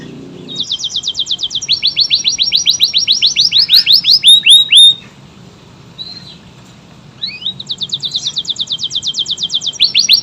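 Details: Domestic canary in vigorous, long-running song with tight bursts: rapid high trills of repeated downward-sweeping notes, a brief pause near six seconds, then more fast rattling trills.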